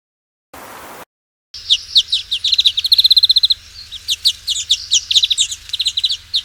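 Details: European Greenfinch song, a rapid run of ringing repeated notes and twitters, a fast trill near the middle, with a steady low hum beneath and a brief noise burst at the start.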